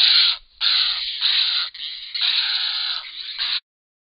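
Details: Grey heron pair nesting at Hen Reedbeds; long, rasping, hoarse calls run almost continuously for over three seconds with brief breaks, then stop abruptly into silence.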